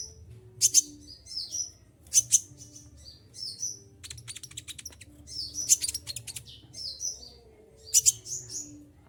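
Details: Olive-backed sunbird kept caged, singing hard despite heavy moult; piercing high notes in tight paired bursts about every one and a half to two seconds, interspersed with rapid ticking trills, quiet low hum behind.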